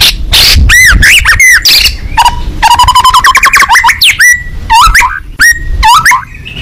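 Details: Vigorous song from a fighting-type white-rumped shama singing with open beak, mixing loud arched whistles, a fast run of short stuttering notes and downslurred chirps in varied phrases.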